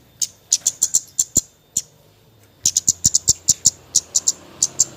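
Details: Javan white-eye's nyecret calling, a lure for birds that seldom sing: quick high chips in a run, a pause of about a second, then a faster, tighter string of piercing notes.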